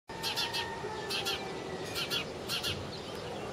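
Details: Sparrow giving short, sharp, high chirps in quick pairs and clusters, separated by brief pauses, over a steady low hum.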